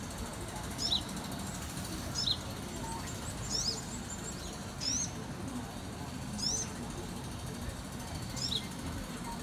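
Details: Baby sunbird from 2018 repeating sharp, high, thin chirps, often doubled, about every one to two seconds, with a constant low background rumble.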